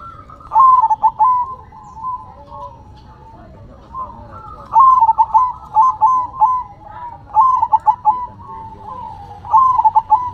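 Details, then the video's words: Zebra dove (perkutut) singing with head-shaking. Repeated phrases of fast, chopped mellow coos are spaced by short pauses, about five phrases over ten seconds, each ending in trailing level notes. "Perkutut BERDZIKIR, Manggung nya Geleng -geleng Kepala"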